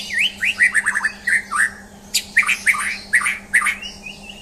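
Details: White-rumped shama, a champion bird, singing a rich, varied run of whistled and slurred notes in quick phrases with short pauses between them, over a steady faint low hum.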